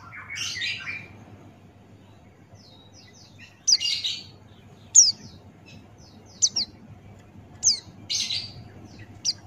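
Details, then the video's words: Pleci Buxtoni white-eye, a captive bird used as a song-tutoring recording, sings with an open beak: high, thin chirps and quick twittering phrases in scattered bursts over a low steady hum, with music. "Pleci Buxtoni Ngalas Buka Paruh"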